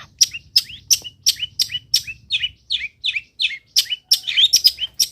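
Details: Long-tailed shrike song meant to teach other shrikes. There is a fast, steady string of high chirps with short downslurred tails, nearly three per second, becoming a busier jumble of squeaky notes toward the end.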